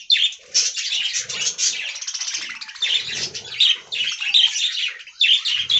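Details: Budgerigar flock in an aviary, chattering loudly with sharp whistled notes and buzzy trills that come in short bursts separated by brief gaps.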